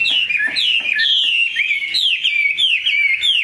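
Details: Tame Chinese hwamei with a large build and strong voice sings bright, swooping whistled phrases, each dropping then climbing, repeated rapidly with crisp sharp accents.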